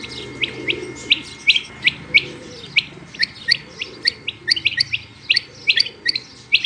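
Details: Female rain quail giving a dense, quickening stream of high, sharp chirps and doubled clicks, growing busier toward the end, over faint low background noise.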